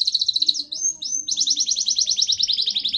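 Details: Local island canary in continuous song: rapid high trilled notes, a few longer sliding whistles, then a fast, even series of repeated chirps.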